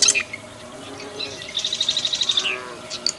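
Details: A plain prinia of rice fields sings a fast, even trill of about ten high, clipped notes, ending in a slurred downward note; sharp high chirps come before and after.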